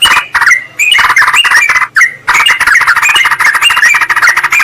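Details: Rival-calling sounds of sooty-headed bulbuls, meant to lure wild birds in forest or garden. Busy, noisy chatter of overlapping harsh, bubbly notes, broken by two brief pauses.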